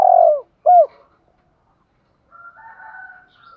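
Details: Spotted doves, male and female, calling to stir caged birds: a falling drawn-out coo and one arched note, then quiet, followed by a faint higher, drawn-out sound.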